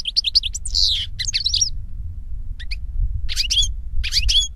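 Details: European goldfinch (Carduelis carduelis) singing in nature: an opening burst of rapid twitters and a buzzy falling note, then a quieter stretch of low rumble broken by short chirping phrases.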